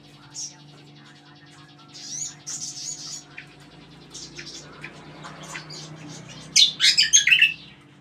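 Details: Flowerpecker in full-power song: sharp high chirps and brief twittering phrases, building to a loud rapid cluster of chirped notes near the end, over a constant low hum.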